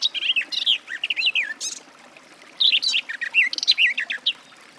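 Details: Garden warbler: two brisk phrases of mellow, looping, fluty warbling, each about one and a half to two seconds long, with a short quiet gap between them.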